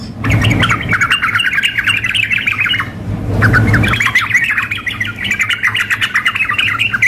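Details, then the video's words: Sooty-headed bulbuls, female calling male with a vigorous singer: two long runs of dense, overlapping chattering and bubbly notes split by a brief lull near three seconds, low hum beneath. "trucuk memanggil dengan trucuk gacor mengamuk"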